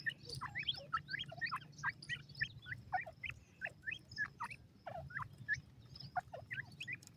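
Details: Partridge (teetar) chicks being fed: a busy chorus of short, high, slurred cheeps, several per second and overlapping, from more than one chick, with a low background hum throughout.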